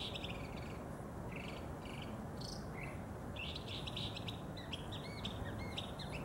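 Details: Mockingbird singing early in the morning from a neighbor's tree about 50 yards away: varied high chirped phrases, each note repeated a few times in quick runs, faint over strong steady background noise.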